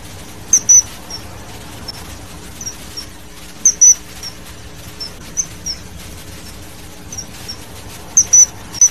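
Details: Young kingfishers at feeding time give very high, thin whistled peeps, some doubled or tripled in quick bursts, scattered irregularly about every few seconds above a quiet hissing background.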